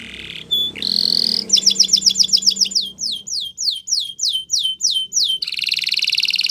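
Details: Spanish Timbrado canary song opening with short notes and a sustained tone, then a series of quick descending swept notes, about twenty repeated at a steady pace, closing with a dense buzzy trill.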